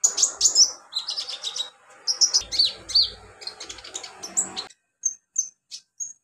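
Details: Olive-backed sunbird in the wild, native habitat: energetic high chattering and sweeping whistled chirps over a hissy background, then a few isolated thin, very high tweets.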